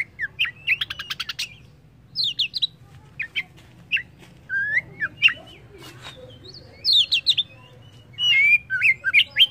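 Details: Oriental magpie-robin singing a varied, lively song: rapid buzzy trills, sharp high chips and clear rising and falling whistles in short bursts separated by brief pauses, over a steady low hum.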